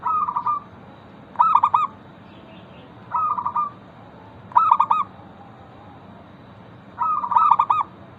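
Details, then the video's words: Lure song of a local zebra dove, meant to draw other zebra doves into singing: five mellow cooing phrases, rolling trilled coos trading with choppy three- and four-note stuttered bursts, separated by short quiet gaps. "Perkutut lokal gacor pancingan ampuh Suara disukai burung perkutut bikin cepat bunyi langsung nyaut"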